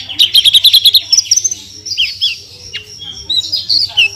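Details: Branjangan, or Horsfield's bush lark, a caged singer in 'full tembakan' mode: a quick rattling series of about eight notes, followed by sliding whistles, a sharp downward note and scattered high chirps.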